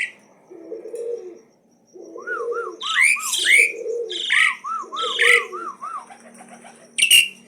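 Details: Asian pied starling in nonstop challenging song: quick runs of small arched whistled notes, buzzy rising calls and low phrases, ending in a loud harsh burst.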